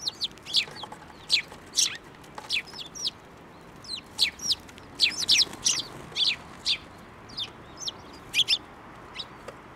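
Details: Flock of sparrows flying to a hand to be fed at a Tenmangu shrine, 15 March 2024: a busy, steady stream of high, sharp chirps and short twitters from several birds, about two per second.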